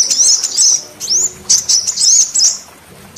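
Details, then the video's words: Female sunbird lure call for provoking quiet males: sharp high chips in short bursts, including one upward-curving whistle, with small gaps between groups of notes. "Pancingan suara kolibri betina untuk memancing semua jenis kolibri males bunyi"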